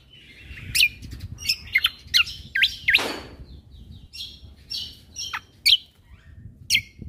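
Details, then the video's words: Cucak kombo singing in the 'full isian tembakan' manner, as a training recording for caged birds: irregular loud, sharp high whistles and chips every half second or so, with one brief lower rasping sound midway. "Cucak Kombo Gacor Untuk Masteran Burung"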